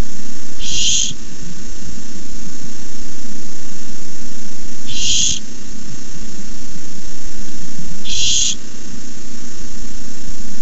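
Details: Begging barn owl at a camera-watched nest as a rat is delivered; three short rasping hiss-screeches spaced three to four seconds apart, low hum throughout.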